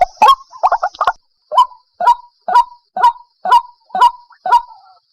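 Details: Trapping lure of a white-breasted waterhen: a quick cluster of stuttering croaks opens, followed by evenly spaced harsh 'kwak' notes repeated roughly twice a second until the end.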